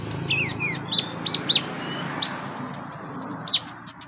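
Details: Olive-backed sunbird singing on a training recording meant for beginner birds: shrill rising-and-falling whistles, then a series of sharp high ticking notes, against a low background hum.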